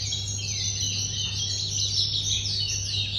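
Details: Young red-whiskered bulbul from the Red River region, 14 days on, singing from its perch while flicking its wings in display: dense, rapid high chirps and warbled twitters run without pause over a steady low electrical hum.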